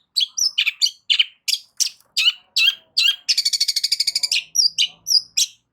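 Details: Loud long-tailed shrike song meant to draw a response from rival shrikes, mixing sharp chirps and squeaky whistles with a fast, even rattling trill in the middle, then short thin whistles.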